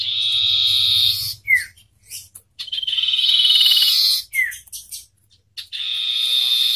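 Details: Common iora song in a loud singing contest between a wild bird and one hand-raised from young: long, high, buzzy trilled notes broken by sharp down-slurred whistles and brief pauses.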